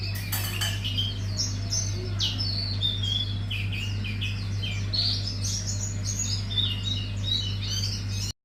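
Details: Hume's white-eye giving a wiksar bongkar isian song: a dense, continuous stream of high twittering, chattering notes and bright slurred whistles, with a steady mechanical hum beneath.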